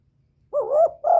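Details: Spotted dove calling to stir a decoy bird and attract a male, used as a lure: after silence, one rising-then-falling hoarse coo, followed by the start of a second coo.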